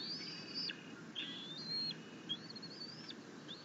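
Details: Bald eagle eaglet chittering while its mother feeds it fish, June 2021; high piercing whistles, each held briefly then cut off, about four in quick succession, steady low hum underneath.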